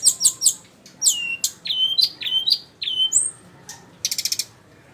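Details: Sikatan rimba flycatcher delivering quick high chirps, then a run of downward-slurred whistles, one rising whistle, and a closing rapid buzzy rattle.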